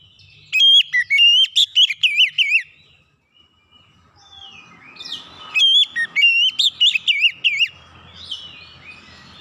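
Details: Two bright bursts of Oriental magpie-robin song, about three seconds apart, meant to get other magpie-robins singing along: sharp whistles, quick rising slurs and warbled, bending notes, with a faint low hum between phrases.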